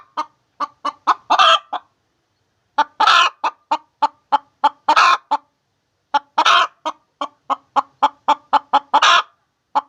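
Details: Hen laying eggs produces brisk series of short clucks, several per second, climaxing in strident rasping squawks; clean, quiet background with gaps between bursts.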